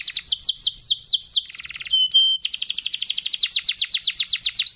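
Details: Canary in full loud song, rolling through fast, high, descending trill notes, a buzzy rattle, a thin pure whistle, then a long run of rapid sweeping chips.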